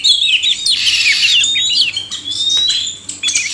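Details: Male and female oriental magpie-robins singing together: varied whistles and quick twittering runs, with a clear drawn-out whistled note sliding upward in the second half, sharp clicks between phrases.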